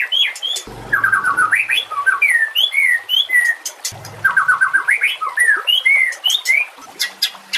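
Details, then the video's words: White-rumped shama training song, 'full nembak' style with mimicked fill notes, over trickling water: two long bursts of rapid whistled phrases, each opening with a quick descending series of repeated notes, then looping slurred whistles. "Murai batu FULL NEMBAK dan BONGKAR ISIAN"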